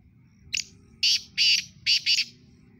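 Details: A black francolin, called kala tetar in its Sindhi form, calls in a harsh, scratchy phrase: a brief lead-in note, then a run of three grating blasts, followed by a quick pair.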